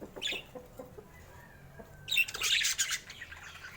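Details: Colorful pet budgerigars of rare mutations, kept together with babies: after a quiet start with faint soft notes, a dense burst of scratchy, warbling chatter erupts midway and continues in uneven bursts to the end.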